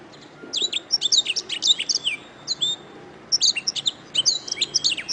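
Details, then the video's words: Canary chirping song used as a master recording for training songbirds: two bursts of bright, high, sweeping chirps and short trilled notes with a brief pause between them, over a faint low hum. "Ocehan Suara Burung Kenari"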